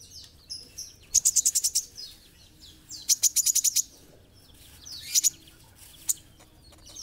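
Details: Olive-backed sunbird, called kolibri ninja, in gacor masteran training material: three bright bursts of fast, evenly repeated high ticking notes, each lasting about half a second, with thin descending chirps between them.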